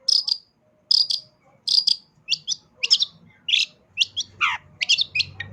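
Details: Long-tailed shrike in vigorous full song with fill phrases: paired high chips repeated about every 0.8 seconds, then faster varied notes including a steep downward slur, with faint low rumble behind.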